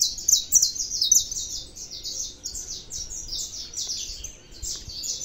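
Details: Saffron finch song: a continuous rapid string of high, slightly buzzy chirps, about three to four notes per second, loud at first, then softer, over a quiet background.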